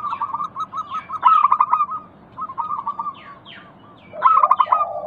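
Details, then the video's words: Local zebra dove song used as a lure to prompt silent doves to call: rapid, stuttering runs of short cooing notes in bursts, with a low buzzy note between phrases. Thin descending chirps from other small birds sound faintly throughout. "Pancingan Ampuh burung perkutut lokal bikin nyaut kutut sekampung Untuk Atasi macet bunyi"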